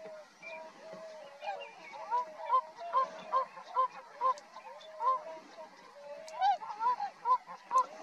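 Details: Distant tundra swans at Rosedale and Munson, Drumheller, Alberta, Canada: a busy chorus of many birds, with short upward-slurred honks repeated roughly every half second over continuous background hiss.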